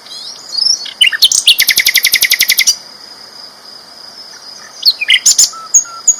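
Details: Loud sikatan londo flycatcher song: a long fast rattle of about fifteen even, sharp high notes, then a pause and a few more chirps over a steady high tone.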